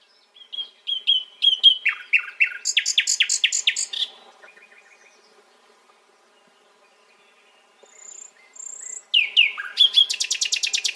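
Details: Nightingale singing a varied phrase: clear whistled notes, rapid buzzy trills and repeated sharp chirps, a pause of near silence, then a high pure whistle and a fast loud rattling series of notes.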